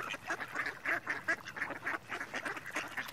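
Mallard giving a quick run of nasal, harsh quacks, about three or four a second, steady in pitch throughout; no other clear sounds.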